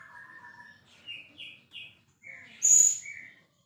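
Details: Champion white-rumped shama with steady low whistled notes, three short rising chirps, then one shrill very high note and a final mid-pitched whistle.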